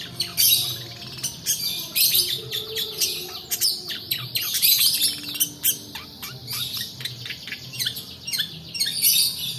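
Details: Long-tailed shrike in a long rolling song, used to draw quiet birds into singing and to tutor other birds. Crowded bursts of high chirps, ticks and short whistles pour out almost without pause.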